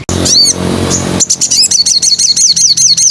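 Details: Wild crimson sunbird, used as a lure recording for training songbirds. A second of rough broadband noise gives way to a fast run of thin, high, arched chirps repeated several times per second.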